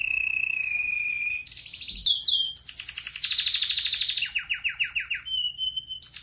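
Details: Red factor canary in powerful training song: a long steady whistle with harmonics, quick slurred notes, a dense high trill, then clipped descending chirps and a short whistle.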